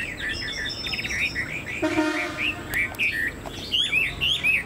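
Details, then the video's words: Caged Chinese hwamei with a spread tail and a tall posture, giving rapid slurred whistled notes that repeat in bursts; a low harmonic buzz near the middle and a sharp click break the phrase. "Họa mi đuôi xòe, dáng dấp cao cầu"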